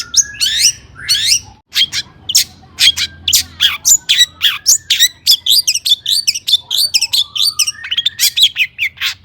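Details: Agitated long-tailed shrike song meant to stir other shrikes into singing and answering: loud bursts of harsh, scratchy chirps and squeaks in rapid irregular series, interspersed with brief whistled mimicry-like phrases, continuous throughout.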